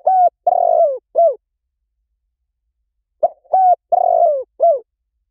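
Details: Spotted dove lure recording with two full cooing phrases, each a brief coo followed by a long buzzy coo and a short dropping coo, separated by nearly two seconds of silence.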